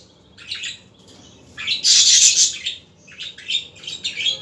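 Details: Budgerigars in the afternoon: soft chirps, then a loud, harsh, hissing squawk lasting about a second, followed by quicker warbled chirrups.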